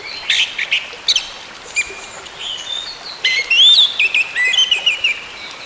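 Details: Orange-headed thrush singing in a recording meant to bring a silent bird back into song: scattered high chirps, then a run of thin, rising and falling whistled notes, over soft hiss.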